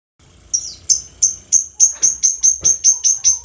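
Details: Lovebird in relaxed ngekek chatter style: a run of about eleven sharp, very high chips, evenly spaced roughly three per second, getting louder after a soft start, with a faint low rumble beneath.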